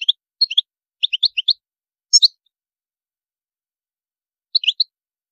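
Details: European goldfinch singing in what is described as high maqams: short tinkling clusters of two to four bright chirps, spaced by pauses, with a lone buzzy note near the middle and a final triplet after a long gap.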